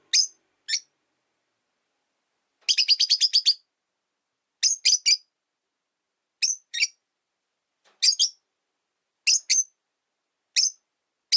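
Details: Rosy-faced Lovebirds, three pet birds sharing one window-side cage after a companion died, tension between the resident white-faced bird and a yellow-faced newcomer; piercing high chirps, single or doubled, with a fast run of about seven chirps early on.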